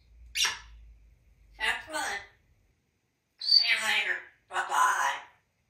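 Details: Talkative male African grey parrot kept as a pet in a Texas home, uttering four short speech-like phrases, the first two clipped and the later pair fuller, with a brief high whistle at the start of the third, in an indoor room.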